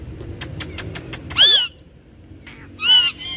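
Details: Two talking parrots; a parrot gives two loud, rasping, rising-and-falling vocal phrases about a second and a half apart, after a run of quick dry taps.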